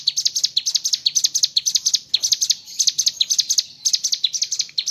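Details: Rapid, high-pitched chirping from a mountain leaf warbler (cigun) in full 'gacor ngebren' song, short notes tumbling in quick repeated phrases without pause.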